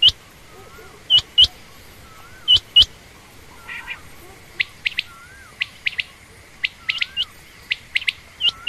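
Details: Female quail, named as common or rain quail, giving sharp high chirps with a hooked tip, in loose irregular clusters of one to three notes, with soft lower curling notes between them over a faint steady hum.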